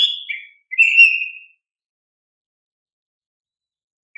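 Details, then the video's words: Oriental magpie-robin singing, a lure recording for young untrained birds: a short two-part whistle, then a clear level whistle lasting under a second, followed by silence and the start of a new note. "Pancingan Kacer GACOR"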